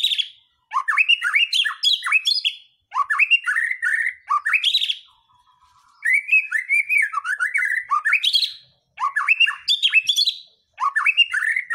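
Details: White-rumped shama song used as a lure to rouse other birds into singing and bringing out their mimicked fill-in phrases; rich whistled phrases of quick rising and falling sweeps, delivered in bursts of about two seconds separated by brief pauses.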